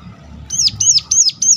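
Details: Four sharp, high, down-slurred notes in quick succession from a Sunda warbler, a calling used to encourage other birds of its kind to sing.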